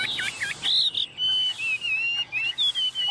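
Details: Tame caged Chinese hwamei singing in the hand: a few quick looping notes give way to long, clear, level whistles broken by short pauses, some phrases sliding gently upward.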